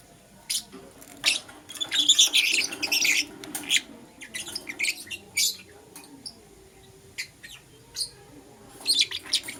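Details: Lovebirds, Euwing Green Opaline and Lutino, chirping in the morning: a dense burst of rapid harsh chattering chirps, then sparser single high chips, over faint low background noise.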